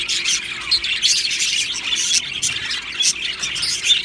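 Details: Australian budgerigars in an aviary colony, described as happy, chirping together: a dense, overlapping stream of high, scratchy twitters and short squeaky notes with no pauses.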